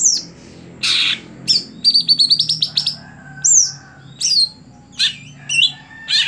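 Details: A greater green leafbird sings a varied phrase: a harsh burst, a quick rattling run of short chips, then scattered sharp downslurred whistles and rasping notes with pauses between them.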